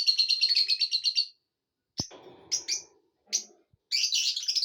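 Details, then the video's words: Pet lovebirds in a happy mood: a rapid run of shrill, high chirps, then short bursts of sharp squeaky notes separated by pauses, with a faint low rustle. "love birds happy mood"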